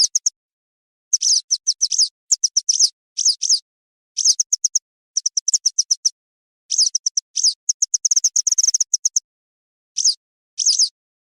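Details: Western yellow wagtail call used as a lure for trapping: thin, high chirping calls in quick bursts of three to eight notes, separated by short pauses, against a quiet background.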